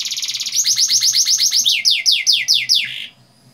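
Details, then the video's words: Canary song used as a long-rolling (ngeroll panjang) lure to get young canaries singing: a rapid buzzy trill, then a run of about twenty quick whistled notes sweeping downward, sliding lower near the end before stopping. "Pancingan kenari paud ngeroll panjang, agar cepat ngeriwik dan gacor"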